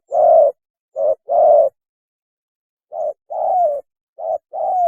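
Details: Spotted dove mating call, played as a trapping lure: low hollow coos, short notes paired with longer ones, in two bursts separated by a pause of over a second, the last long coo sliding downward.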